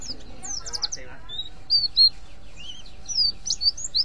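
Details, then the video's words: Mountain white-eye giving its ngriwik call, used to lure other white-eyes: high, thin chirps and short whistled slurs in uneven bursts, some falling, over a steady low hum, with a faint voice early on. "pleci ngriwik ampuh memancing pleci lain GACOR"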